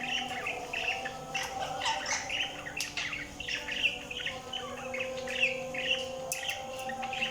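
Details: Budgerigars chirping: a busy run of short, bright twittering notes, overlapping and uneven, some in quick bursts, over a steady low hum and tonal background drone.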